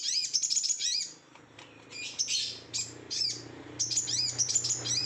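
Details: Sooty-headed bulbul in agitated, excited song: clusters of high, piercing chirps and twitters separated by brief gaps, over a low background hum.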